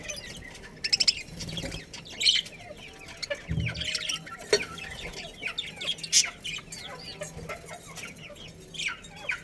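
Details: Budgerigars, including a breeding pair in a colony, chirp softly in a steady, quieter twittering warble with scattered sharper notes and a faint low hum.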